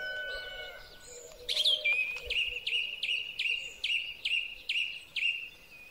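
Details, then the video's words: Song thrush in spring song, recorded with a Huawei P30 Pro phone: one clear whistled note repeated about eight times at steady half-second intervals after a sharp high opening, with a faint low hum beneath. "Drozd Śpiewak. Wiosenny koncert ptaków."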